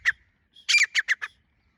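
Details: Female grey francolin (teetar), 24 January 2025: one sharp note, then a short cluster of four or five harsh, descending squawky notes in quick succession.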